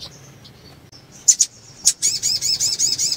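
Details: Sunbird female in breeding condition calling to stimulate males: faint thin high tones and a couple of sharp chips, then a quick run of shrill, looping twittered notes to the end.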